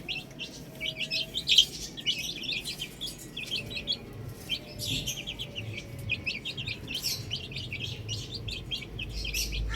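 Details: Baby chickens playing on a roof, rows of short high chirps repeated rapidly by several birds, a brief louder peep early on, and low background noise rising at the end.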